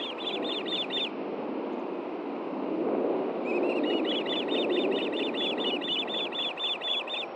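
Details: Fish delivery at a wild osprey nest, Hellgate Canyon, Montana, 9 AM on June 6, 2014; a short run of piercing chirps, a gap of rushing background noise, then a longer rapid series of high whistled notes.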